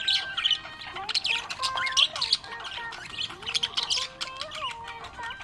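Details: A happy budgerigar chatters in busy, scratchy chirps and squawks while a song plays behind it.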